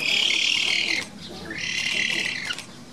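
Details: Black-faced spoonbill (Platalea minor) chicks at a zoo nest give high, wheezy begging calls in two sustained bursts, each about a second long, separated by a brief pause; 22 June 2017.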